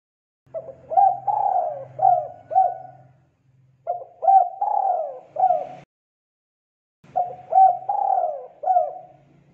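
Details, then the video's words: Spotted dove in full song, used to coax young doves into singing: three phrases of four or five mellow coos, the longest note drawn out and falling, phrases repeated about every three seconds, faint low hum beneath. "Suara Tekukur GACOR, Melatih Tekukur Muda Trotol Bakalan Ikutan Bunyi"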